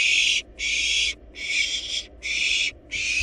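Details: Nest-box barn owl chicks, wild, eating a large rabbit: a steady series of loud breathy hissing screeches, each under a second, repeated with short gaps.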